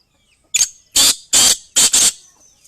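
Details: Loud, close female black francolin call: five rough, explosive rasps, the last two run together, separated by short silences.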